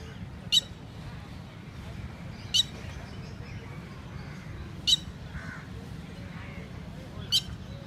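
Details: Indian Red-wattled lapwing (Titodi), mating birds on a lake: four short, shrill call notes spaced about two seconds apart, standing out from constant low noise.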